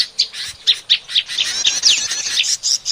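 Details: Bar-winged prinia lure recording used for trapping small birds: rapid, sharp, high chirps and short downslurred notes, repeated several times a second in an excited, noisy burst.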